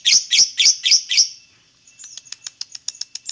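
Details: Lovebird singing, a recording meant to prompt other lovebirds to sing: five loud, shrill, harsh chirps about a quarter second apart, then a run of softer, thin ticking notes repeated rapidly.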